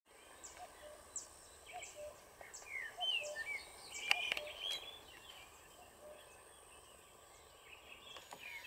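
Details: On June 1, 2023, at the Isonzo (Soča) River Mouth nature reserve, European bee-eaters (Merops apiaster) give scattered, liquid, rolling 'prruip' calls, bunched midway through, over a steady high-pitched hiss and low background noise.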